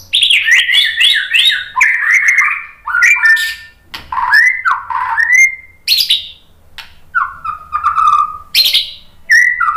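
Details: White-rumped shama singing loud, varied whistled phrases with slurred rising and falling notes and harsh bursts, a recording used to lure other shamas to answer in song.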